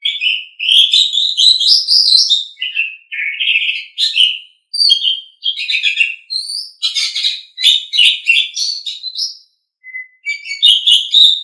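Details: Asian pied starling song from a tutor recording for pet songbirds: a long, continuous, varied stream of fluty whistles, harsh chatters, rising slurs and squeaky notes, broken by only a few short pauses, with no background noise.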